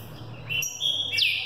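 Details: Caged young Green-winged saltator prepared for the 2018 season sings short whistled notes, one level and bright, then a loud falling slur, with a low hum beneath.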